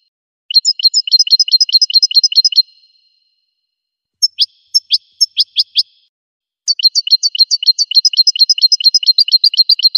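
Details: Goldfinch singing in three bursts: a rapid twittering trill of high paired notes, a slower phrase of sharp downward-sweeping chips, then another long fast twitter, separated by short silences with no other sounds.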